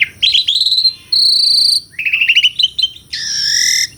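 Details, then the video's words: An Asian pied starling sings a rapid string of rising chirps, then gives a long steady high whistle, another quick chirping run and a drawn-out buzzy, harsh note to finish. "SUARA KICAUAN BURUNG JALAK - JALAK SUREN GACOR MERDU SEKALI..!!"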